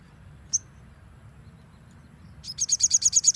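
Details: Crimson sunbird, nembak-style training recording: one sharp high chip, a quiet pause, then a rapid series of about nine loud, shrill, evenly spaced high notes building to the end.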